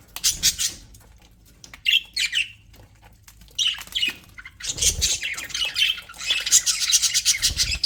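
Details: Aviary budgerigars give harsh chirps and a couple of warbled whistles, pause, then break into a long, dense stretch of buzzy chattering.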